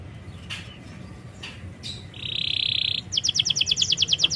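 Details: Canary song played as a lure for a bird that is slow to sing: a few faint chirps, then a bright steady buzzing note held under a second, followed by a fast regular trill of high clipped notes.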